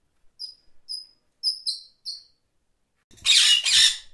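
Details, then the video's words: Parakeets chirping: a few thin, high, clipped chirps at an uneven pace, then two loud, rasping squawks close together at the end. "Parakeets Chirping Sounds"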